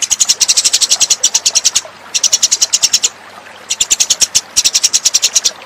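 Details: House sparrow lure call: bursts of rapid, loud, high chirping, each burst about a second long, separated by brief pauses, repeated four times.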